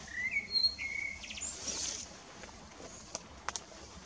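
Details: Evening blackbird song opening with two mellow whistled notes, then a thin high squeaky twitter, followed by quiet with a few sharp clicks.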